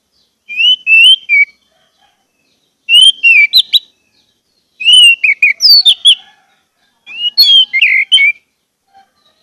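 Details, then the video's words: Orange-headed thrush song played as a lure for caged birds: four varied phrases of slurred whistles mixed with sharp chirps and trills, each lasting about a second, separated by brief pauses. "pancingan anis merah agar anis merah macet cepat bunyi dan gacor"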